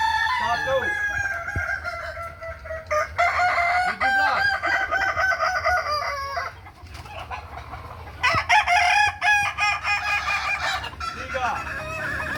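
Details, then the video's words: Crowing practice contest for Kukuak Balenggek chickens, Ampang Kualo, Kota Solok, May 2024: several roosters crow at once in drawn-out, multi-step phrases, with bursts separated by short gaps and a constant low hum beneath. "Ayam kukuak balenggek"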